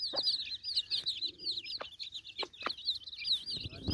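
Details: Broody mother hen feeding her chicks: a dense, continuous stream of high, thin, wavering peeps from the chicks, broken by short, sharp clucks or pecking taps at irregular intervals.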